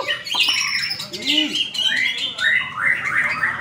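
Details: White-rumped shama singing at a bird-song practice contest in Indonesia where it took first place; varied loud whistled phrases around mid-high pitch with sliding notes and quick changes, plus lower sweeping sounds and busy contest background.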